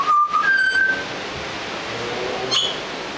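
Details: Young Australian butcherbird learning to sing, Australia: a few brief, clear whistled notes, one steady tone then a slightly higher held whistle, followed by a faint high note later, over a steady background hiss.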